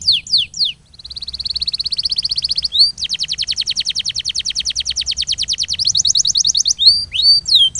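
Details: Canary song for training birds to sing longer: falling notes, a smooth buzzy roll, then a long rapid trill of evenly repeated notes for about three seconds and rising-falling whistles at the end.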